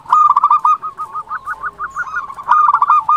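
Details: Local zebra dove, a loud, actively calling bird used as a lure to provoke other doves to answer: rapid rolling coos, a continuous stuttering trill of short pulsed notes, loud and steady throughout.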